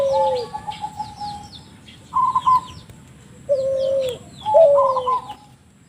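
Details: Spotted dove giving an unusual call for luring: a falling coo and a long, flat trill, a brief higher trilled burst, then further slurred coos with trills, in quiet surroundings with faint chirps.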